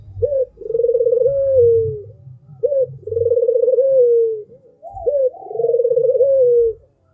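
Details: Melodious cooing of an albino Barbary dove: short rising note, then an extended rolling purr falling away at the close. Three phrases about every two and a half seconds, the last overlapped by a fainter coo, over low rumble.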